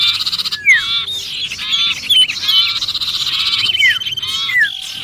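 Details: Sirpu giving a frantic distress call as if trapped, a lure sound for attracting other birds: dense overlapping chatter of arched and sharply down-slurred notes over a steady high hiss.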